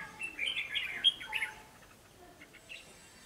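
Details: Newly caught wild red-whiskered bulbul giving a fast burst of bright, warbled whistled notes that fades into quiet, scattered chirps.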